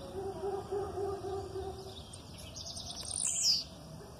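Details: Blue-black grassquit aggressive song with female calls in the background: a low steady hum, then a quick series of high buzzy notes ending in one loud, sharply falling whistled sweep.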